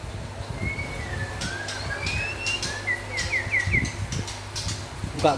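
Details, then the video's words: Lively song of a white-rumped shama, local and forest type: long drawn whistles sliding up and down, then a quick run of short downslurred notes, with low background hum and faint clicks. "Meriah nya Suara Murai Batu LOKAL Dan Hutan"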